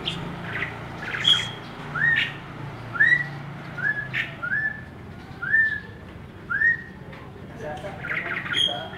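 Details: Birds in Cisangkan Permai, Cimahi: a clear upslurred whistle repeated about every second and a half, each note brief and bright, with faint higher chips, low background hum and a man speaking at the end.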